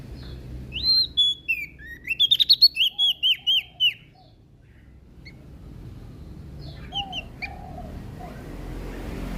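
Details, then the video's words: Lombok prinia in full, lively song, giving a quick string of piercing, descending chirps early on, then falling quiet, with a few faint lower whistles and a background hum. "Prenjak daun Lombok Gacor"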